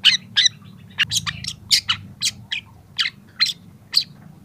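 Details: Young long-tailed shrike as tutor song for other young birds, starting to add mimicked phrases: rapid sharp chirps and buzzy notes repeated roughly twice a second over a noticeable low hum.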